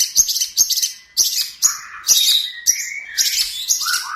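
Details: Long-tailed shrike master song for training birds: harsh, scratchy high notes repeated roughly once a second, with lower whistled notes slipping in near the end.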